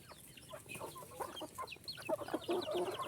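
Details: Chorus of small chickens: quick, high, sliding peeps packed closely together over soft clucking, getting louder toward the end.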